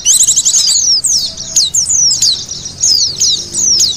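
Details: Oriental white-eyes in a lure call used to attract wild white-eyes: a dense stream of thin, very high chirps and twittering slurs, several per second and overlapping, with no other sounds.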